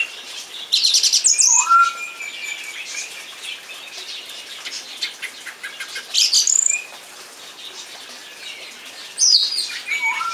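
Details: Song thrush singing: bursts of high, buzzy, rattling phrases alternate with clear whistled notes that slur upward, separated by short pauses, over a soft background hiss.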